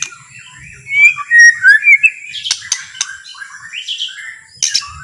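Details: White-rumped shama with a relaxed, quiet song meant to draw other shamas into singing. A brief burst of clear, sliding whistles is followed by softer twittering and a few sharp clicks.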